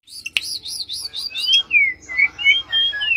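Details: Mangrove blue flycatcher singing energetically: a run of short bright notes, then clear whistled phrases that slide up and down between slurred tones, with soft clicking noise underneath.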